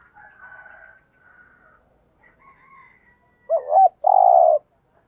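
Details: Lure spotted dove used to excite wild doves into calling and fighting: higher, drawn-out calls from another bird first, then one loud phrase of a wavering double coo and a long buzzy coo.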